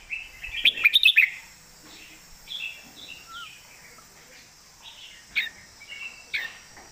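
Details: Red-whiskered bulbul singing a loud, clear master song: a quick burst of bright chirped notes near the start, then softer warbled phrases and a few sharp notes toward the end.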